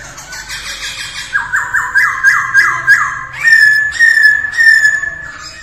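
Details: Masked laughingthrush in morning voice practice, starting with soft rapid notes, then a loud run of repeated falling whistles about twice a second, followed by sustained bright whistled phrases.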